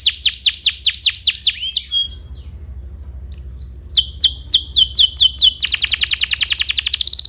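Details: Gacor canary singing, meant as tutor song for young canaries: a series of quick falling high whistles, a brief pause, then rising repeated notes ending in a dense, fast rolling trill.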